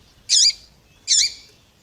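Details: Two harsh, buzzy calls from a female Double-collared Seedeater (coleiro) calling to a tui-tui male, under a second apart, over a soft low background hum.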